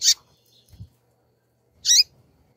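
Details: Female double-collared seedeater calling: two sharp, high, buzzy chips about 1.8 seconds apart, with a faint low knock between them and a quiet background.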